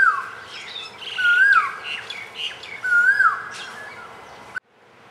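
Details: A singing Black-naped oriole (Oriolus chinensis) at a fruiting tree where many birds, including bulbuls, feed. It gives three liquid, fluty whistles that slur up and down, about one and a half seconds apart, with faint higher chirps behind.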